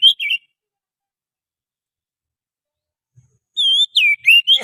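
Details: Oriental magpie-robin lure song from the wild forest: a short burst of clear whistles, then a long silence and another run of rising and falling whistled notes around the same high pitch.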